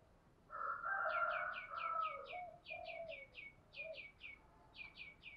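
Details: Decoy spotted dove cooing to stir wild males into calling: a burst of low, throaty, rolling coos in the first half, overlaid throughout by a repeated series of short, high chirps from another bird.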